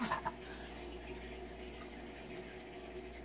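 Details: Quiet room tone with a few drips of water and a sharp knock at the very end, no animal calls.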